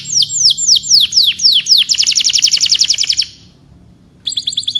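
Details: Canary gives a string of falling whistled sweeps leading into a rapid rattling trill, a short silence, then a high fluttering trill.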